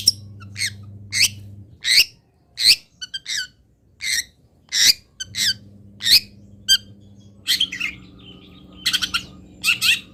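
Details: Local long-tailed shrike song material: loud, harsh squeaky notes spaced roughly once per second, with a few quick doubled chirps between them, ending in a cluster of rapid scratchy notes over an intermittent low hum.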